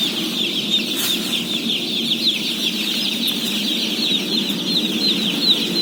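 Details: Thousands of day-old chicks in a flock of 17,000 being fed, their high peeps merging into one continuous shrill chorus, with a constant low hum beneath and a short clatter near the start.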